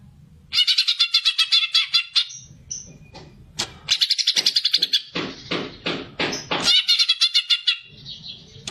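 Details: Greater green leafbird, a fighting song used to stimulate other birds, loud and rapid: fast runs of buzzy, chattering high notes in several bursts, with sharp whistled accents between them; a low hum is heard in the pauses.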